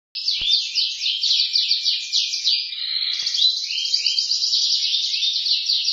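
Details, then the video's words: Canary singing a loud, continuous chattering song: rapid repeated buzzy trills and fast sweeping notes, shifting midway into a rolling warble and then a long high trill, with no pauses; a single click near the start. "suara kicau kenari gacor"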